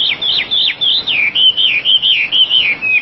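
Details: Oriental magpie-robin (wambi) in full song: loud, clear whistled notes sliding down and then levelling off, repeated rapidly about three to four times a second in an even, rolling series.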